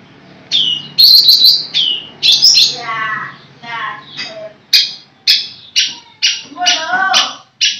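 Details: Cendet, the long-tailed shrike, kept as a cage bird, singing mixed phrases: a sharp trilled burst, warbling chatter, then a series of short clipped harsh notes at irregular intervals.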